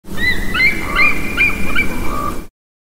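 A Bald Eagle gives a quick series of thin, high, squeaky chirps and chitters over about two seconds, with steady low wind rumble underneath.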